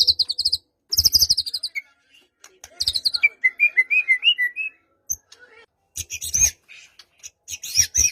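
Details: White-rumped shama singing, used as a lure to make a quiet bird answer, morning or afternoon: rapid high harsh note bursts followed by a run of short whistled notes rising and falling, then more sharp scratchy bursts.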